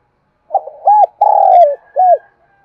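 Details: Single coo phrase of a spotted dove meant to stimulate wild doves into answering: stuttering short hoots leading into a drawn-out, gently falling mellow coo and one short closing coo, clean with little background.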